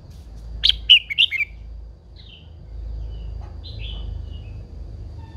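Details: Old wild-caught female red-whiskered bulbul, kept caged to excite males, delivers a fast phrase of four clear, slurred chirps, followed by a few soft, thin trailing whistles and low background hum.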